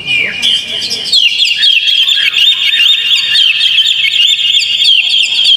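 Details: Oriental magpie-robin song used to coax a caged bird into singing: after a softer opening, a loud continuous stream of quick chirps, trills and slurred whistles carries on without pause.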